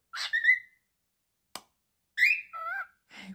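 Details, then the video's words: Talking pet cockatiel indoors gives a harsh, raspy speech-like phrase ending in a drawn-out whistled note. After a sharp click comes a second, similar gravelly phrase with wavering tones, then a soft breathy sound. "Monty The Naughty Cockatiel talking and singing again. The most adorable talking Cockatiel"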